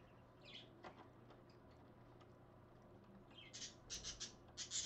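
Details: Two pet parakeets at 5:20 in the morning on 30 January 2015: faint chirps early on, then a burst of loud, harsh, high squawks repeated rapidly near the end, over a low steady hum.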